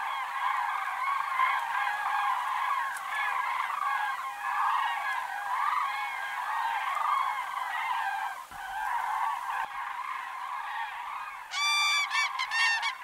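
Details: In autumn, a large flock of common cranes (Grus grus) keeps up a dense chorus of rolling, trumpeting calls, with a few louder, ringing bugles standing out close by near the end.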